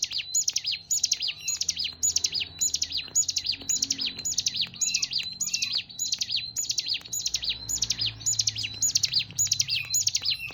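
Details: Hill prinia (ciblek gunung) in sustained song: about twenty rapid, shrill phrases of jerky descending and rising chirps, evenly spaced near two per second, over a faint low background drone.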